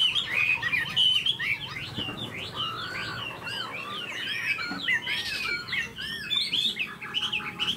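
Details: Tame caged Chinese hwamei, tail fanned, giving an eagle-like wing display. It sings varied, arching whistled notes, some high and thin, some lower and fuller, tumbling quickly one after another.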